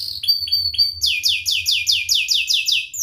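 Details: Canary performing a sharp, crisp song meant to train young canaries: three short clipped chirps followed by a steady run of loud downward-sweeping whistled notes repeated in quick succession.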